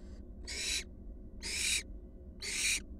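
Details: Three loud, evenly spaced hissing screeches, each about a third of a second, roughly one per second, from wild barn owl fledglings among four returned to their nest box; faint low hum behind.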